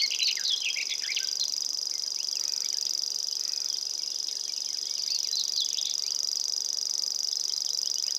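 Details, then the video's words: Common grasshopper warbler recorded in Estonia, its unbroken high mechanical reel running without pause, with many brief chirps and twitters from other birds in the background. "Common grasshopper warbler"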